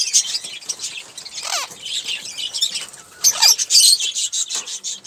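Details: Olive-throated parakeet, a single caged bird, chirping while it eats sunflower seeds and drinks water; short sharp high chirps and squeaky chatter come in bursts, with rustling and wing-flutter noise throughout.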